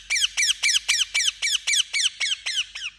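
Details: Indian ringneck parakeet calling in a steady run of about a dozen harsh, downward-slurred squawks, roughly four each second, loud and evenly spaced.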